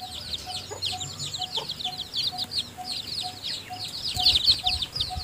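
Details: Chicks, newly hatched and still too weak to leave the nest, peep busily in high, quick bursts while the hen feeds them; a soft short tone repeats steadily underneath.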